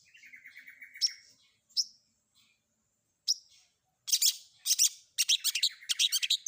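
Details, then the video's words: Long-tailed shrike, combination filler recording intended to make other shrikes respond. A buzzy trill and a few sharp chips are followed by loud, rapid harsh chattering in dense bursts during the final seconds. "Cendet Manapun Bakalan Langsung Nyaut Dengar Suara Isian Kombinasi Cendet Cendet ini"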